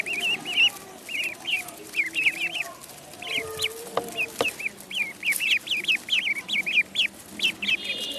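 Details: Duckling in the pond uttering rapid groups of thin, wavering peeps, two to four together, with a lower murmuring sound and a couple of sharp taps in the background.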